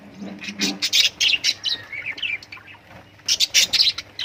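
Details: Lovebirds chirping in quick bright bursts: sharp high tweets and short squeaky notes in tight clusters, a brief lull, then another rapid flurry of overlapping chirps.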